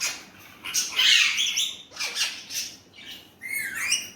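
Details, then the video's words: Indian ringneck parrot talking in Urdu/Hindi: blurred, raspy syllables in quick succession, ending with a clear downward-sweeping note. "Indian ringneck parrot amazing talking parrot"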